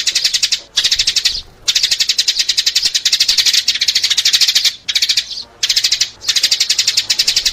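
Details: Call used to draw sparrows in: long runs of shrill, tightly repeated chirps, broken by a few short pauses, continuing almost without stop and sounding bright and insistent.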